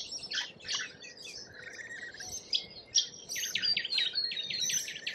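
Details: Lorikeets in Australia calling in harsh, high, repeated screeches that come quicker and denser toward the end, with softer twitters in between.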